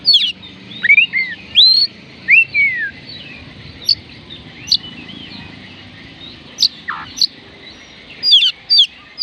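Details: Oriental magpie-robin (kacer) song used to prompt reluctant birds to sing: clear whistled phrases, some rising, some falling slurs, with sharp high notes in short bursts and pauses between them.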